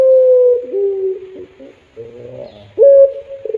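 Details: Caged puter dove giving a melodious pelung-style coo: a long, steady, pure tone that dips slightly lower midway, pauses briefly, then returns as a bright sustained note, with faint low murmurs in a quiet room.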